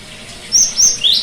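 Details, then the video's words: Brief cinereous tit phrase, meant to coax a bird that has gone quiet: two high thin level whistles followed by a rising sweep, over soft steady background hiss. "terapi gelatik batu macet bunyi"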